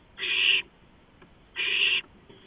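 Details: Owl calling from a porch at 2:05 AM on 5 April 2015: two rasping, breathy screeches of roughly half a second each, separated by about a second of near silence.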